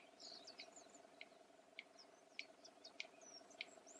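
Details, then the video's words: Clicks of a red-crested bustard, made by slamming the beak and used in contact and male courtship; five hard, dry clicks at regular intervals after a brief pause, amid high chirps from other birds and a low continuous hum. "The click-sound of a Red-crested Bustard"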